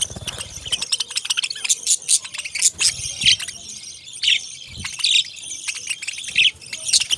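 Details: Parrots twittering constantly, sharp high chirps and short trills overlapping from several birds, with a faint low background hum.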